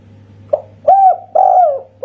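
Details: Local Indonesian spotted dove in kuk satu style: a short soft opening note, then two long smooth coos, the second sagging in pitch, and the start of another. A low steady hum lies beneath.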